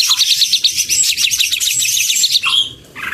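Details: Leafbirds singing together, males and females, pour out fast, bright chattering trills and repeated sharp chirps. A rising whistle appears near the end, then a short pause before a new burst.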